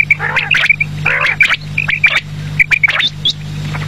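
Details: Evening quail calls: rapid, clipped, whistled notes in short bursts alongside coarse, scratchy squawks, with a constant low hum beneath.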